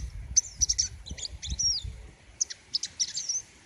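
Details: A king konin sunbird sings in quick bursts of very high, thin, loud, sharp chirps and trills, with faint low background rumble.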